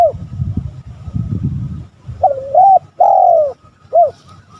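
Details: Spotted dove on a lure recording meant to provoke rival males: after two seconds of low rumbling, one soft cooing phrase of a double note, a long drawn descending coo and a short closing coo.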